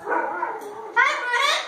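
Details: A pet cockatoo barks like a dog while the household dog barks at the neighbour's dog: a drawn-out, voiced woof, then two harsh, rasping bursts, with a person's voice faintly mixed in.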